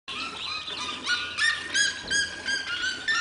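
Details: Red-legged seriema in the corral of a house, calling loudly: a rapid series of harsh, yelping notes with strong overtones, repeated about three times a second and rising in pitch and intensity.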